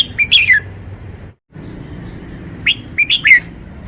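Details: Caged red-whiskered bulbul presenting its song style: two lively phrases of rapid whistled notes, bouncing up and falling away, divided by a brief silent gap, with faint low background noise.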